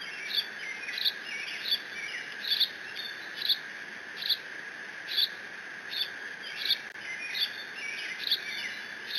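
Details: Lone bald eagle nestling at Decorah, 30 June 2017, squeeing over a fish from its father to guard it from siblings; piercing short chirps come regularly, roughly every second, against a continuous insect-like background drone.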